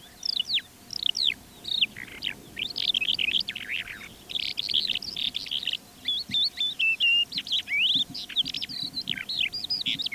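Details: Calandra lark in flight near Divnoye village, Manych, northern Stavropol, early morning before 8 am on 21 April 2024 in calm air, pours out a nonstop, high, jumbled song of quick chirps, trills and rising whistles over a faint steady hum.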